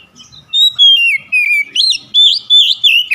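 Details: Oriental magpie-robin (kacer) prompting song: a continuous run of rich whistled notes, some sliding down, others rising and falling in quick rolling loops, delivered in short bursts about three per second.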